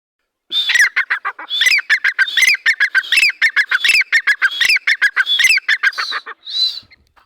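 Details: Grey francolin, a 'dhakani teetar', giving its lively 'masti wali' call: a loud, rapid run of harsh, squeaky rising notes in close repeated phrases, about six seconds of continuous calling, then two separate notes before falling silent.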